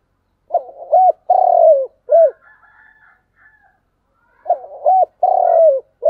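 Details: Thúc gù coo of a spotted dove, given twice: clipped rising notes lead into a long vibrating coo that slides down, ending in a short hoot. Soft chattering of other birds fills the gap.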